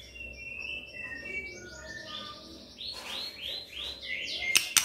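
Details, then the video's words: Magpie-robin singing as a training lure for a quiet bird: a run of varied whistled notes stepping up and down, then four rounded, repeated swooping whistles and a harsh scratchy burst, over a low background hiss. "Pancingan Murai DIAM Agar Rajin Bunyi"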